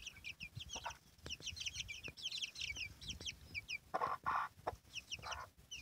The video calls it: la gallina y sus pollitos